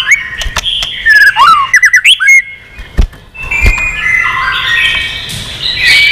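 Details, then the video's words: Old wild white-rumped shama singing many voices during a singing contest: squeaky rising and falling whistles with sharp clicks, a brief pause, then a run of layered stepped whistles and buzzy notes. "chòe lửa già rừng giọng chất. kích chòe lửa sổ nhiều giọng. chòe lửa căng lửa tạch đập đuôi liên tục"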